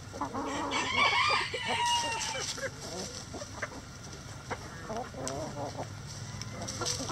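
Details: Rooster in a chicken coop crowing: a long, drawn-out harmonic call rising and holding for about a second and a half, over steady clucking from several other chickens and a low background hum.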